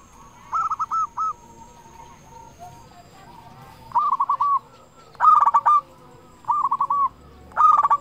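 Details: Local zebra dove with a strong voice singing as a lure for others of its kind: brief rolled coo phrases of three to five notes, repeated every second or two, some harsher and louder.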